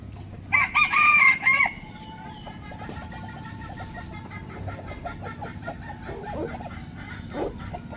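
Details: Crowing rooster at morning: a loud, brassy crow with a sustained middle note ending in a downward bend, then steady soft clucking and low background hum.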